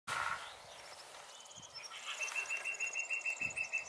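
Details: A Lesser Spotted Woodpecker sings near meadows by a white stork nest, a shrill, even series of 'kee-kee-kee' notes, about five or six a second, with fainter high chirps from other birds behind.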